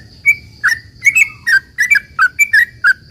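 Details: Short burst of sooty-headed bulbul 'ropel panjang' song aimed at drawing replies from other bulbuls: quick slurred chirps, some doubled, about four per second, over a faint steady high whine.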